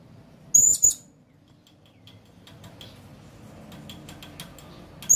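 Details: Blue-crowned hanging parrot calling with a pair of sharp, very high squeaks in quick succession, then a long quiet stretch with faint ticking before a third squeak at the end.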